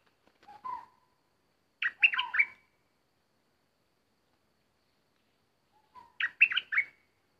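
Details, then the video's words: Bulbul used as a decoy bird in trapping, with an uninvited intruder arriving to disturb; two bubbly phrases of quick chirpy notes, each opening with a low whistled note, separated by about four seconds of silence. "Burung merbah lekir bay hoach thom gacor bahanan"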